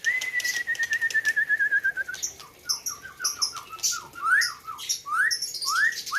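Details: Competition white-rumped shama from Gayo land, Aceh, 2021 Presiden Cup build-up: a long steady run of rapid whistled pips, then a jumble of short slurred notes and fast rising upsweeps.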